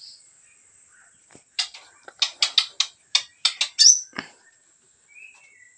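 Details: Medan white-rumped shama delivering a series of sharp, percussive clicking notes in quick succession, ending in a short upslurred whistle, over a steady high electronic whine.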